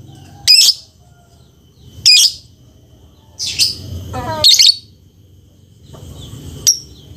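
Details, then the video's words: Lovebird uttering scattered harsh, high screechy chirps about one to two seconds apart, one with a short rising buzzy tail, over low background hum. "SUARA BURUNG LOVEBIRD"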